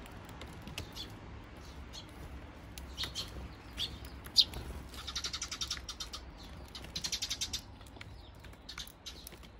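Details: At a bird feeder in June 2023, Eurasian tree sparrow parents feed their chicks. Scattered thin chirps give way to fast buzzy chattering trills in two short bursts, then more separate tweets.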